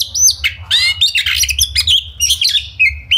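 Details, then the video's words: Brisk burst of Oriental magpie-robin song in the rapid 'ngobra' style, a provoking lure: clear whistled slurs, harsh rasping chatter and quick squeaky notes packed closely together. "Pancingan Kacer Gacor Ngobra Speed Rapat! Efektif Buat Kacer Agar Emosi tarung Bongkar Isian"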